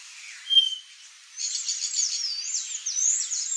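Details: Palm tanager (Thraupis palmarum) gives a brief sharp chip, then a high, thin, squeaky run of rapid twittering notes that rises and falls for about two seconds.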